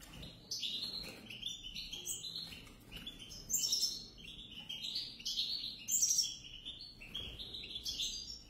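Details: A pair of European goldfinches in continuous, rapid high twittering song: tinkling, liquid chirps and buzzy trills packed closely together, with brighter sharp notes rising above the flow.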